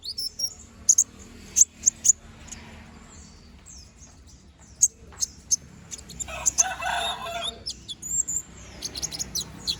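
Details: Konin, the brown-throated sunbird, in gacor ngobra song: isolated high, sharp chips separated by pauses, with a short burst of broad rustling noise in the middle and more clustered chips near the end.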